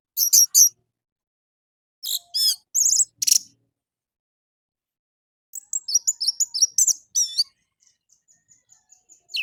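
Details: An orange-headed thrush in morning song, a lure to make captive birds sing: varied high, sharp chirps in clusters, a long twittering run, then a string of faint repeated ticks.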